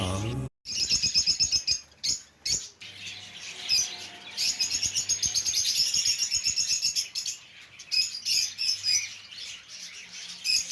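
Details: A cockatiel (Nymphicus hollandicus) gives a rapid stream of high, scratchy chirps during mating, a mating call.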